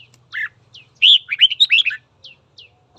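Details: Red-whiskered bulbul singing in the morning to provoke fighting: a whistled opening note, then a loud rapid run of rich warbles, with several thin, high, downslurred chips from another bird and a low steady hum beneath.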